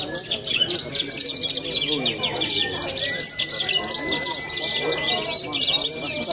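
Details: Contest bird from Cilacap city, a young bush lark, pours out quick high chirps and buzzy trilled phrases without pause. A thin level tone sounds throughout, with voices murmuring beneath.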